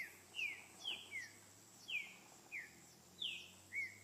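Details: In nature, a wild green-winged saltator gives its repetidor song: a string of loud, clear downslurred whistles, some paired in quick succession, with short irregular gaps between them and a soft constant hum beneath.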